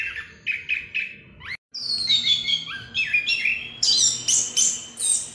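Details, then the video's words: Chestnut-capped thrush singing in the 'ngerol' style meant to provoke another bird into full song. It opens with lower repeated notes, then after a short cut gives sliding whistles and a burst of very high, rapid chatter. "ANIS KEMBANG NGEROL BUAT PANCINGAN AGAR NGEPLONG"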